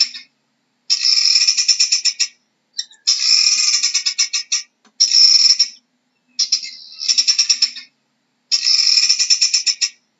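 A guineafowl gives harsh, rapid cackling bursts, each series lasting a second or two.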